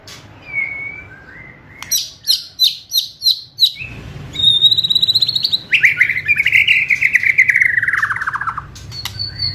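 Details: White-rumped shama singing fierce kretekan to provoke and hasten full song: a soft whistle, then evenly spaced sharp high chips, followed by a long buzzy trill sliding slowly downward and a final thin whistle.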